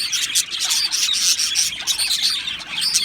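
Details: Two male budgies from Australia chattering nonstop, a bright, busy stream of high chirps studded with short whistled pips that rise above the scratchy warble.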